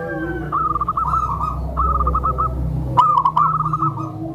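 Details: Tame zebra dove giving a soft call meant to lure other zebra doves and condition newly kept birds; two runs of quick, rolling mid-pitched coo notes with a pause between, over a steady low hum.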